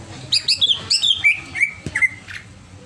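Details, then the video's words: Agitated greater green leafbird giving a quick descending series of sharp, bright chirped whistles, each a little lower than the last, followed by two or three softer notes. "CIRI CUCAK IJO OVER EMOSI"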